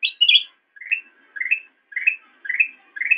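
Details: Black-crested bulbul singing for a cage-bird master recording: a short burst of high sharp notes, then a regular sequence of rising, fluty whistles about every half second in clean silence.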